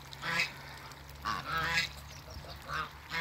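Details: A pair of African geese on a waterbird farm call with short nasal honks in two or three bursts, separated by quieter pauses and a constant low hum.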